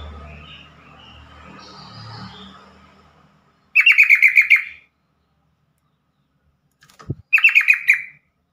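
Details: ['Yellow-vented bulbul call: two bursts of about eight rapid, stuttering chattering notes, each lasting about a second, separated by a pause and a brief low thump. Quiet room noise comes before them.']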